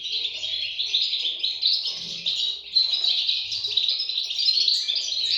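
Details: European goldfinch chicks calling together in a dense, continuous high chatter of overlapping thin chirps and squeaky notes, rising and falling in loudness with no pauses across the clip.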